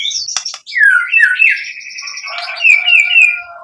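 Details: White-rumped shama song used as a lure: buzzy high notes and a sharp click, then a long descending whistle sliding into sustained mixed tones and repeated bright upswept chirps.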